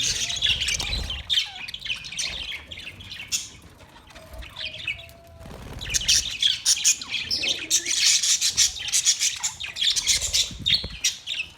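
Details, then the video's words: Parrot chirps in scattered scratchy notes at first, then a quiet gap, followed by a lively run of rapid overlapping high chirps and squeaks. "Parrot chirping sound Parrot sound"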